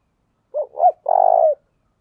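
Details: Spotted dove used as a caged decoy, 'thổ đồng' voice style, calling to lure. One full phrase: a short coo, a rising-falling coo, then a longer rough sustained coo that dips at the end.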